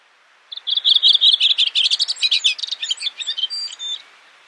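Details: Redwing of the Icelandic subspecies coburni at Brjánslækur, Iceland, June 2019: a rapid, chattering phrase of about three and a half seconds, dense twittering notes of varied pitch, high and bright, tailing off into scattered squeaks; quiet background.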